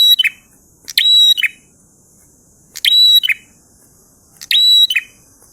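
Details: Lively prinia performing a 'ngalun' style song, delivering four loud bursts of rapid sharp chips topped by a thin high whistled note, spaced about one and a half seconds apart, with little else audible.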